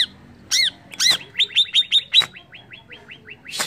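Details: Greater green leafbird singing to provoke rivals: a couple of sharp arched chirps, then a quick series of about ten descending whistled notes that gradually fade, closing with a brief harsh burst.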